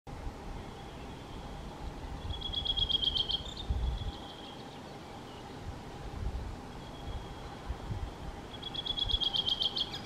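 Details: A Redwing singing at Raahe, Finland, on 7 June 2020 gives two short bursts of high, twittering song phrases about six seconds apart, over a steady low hum and faint background noise.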